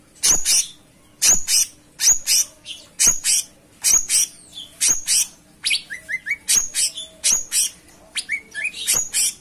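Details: Cucak cungkok singing steadily: loud, sharp broadband chirps repeated about every half second, mixed with brief high whistled notes and short rising trills, over a faint steady low hum.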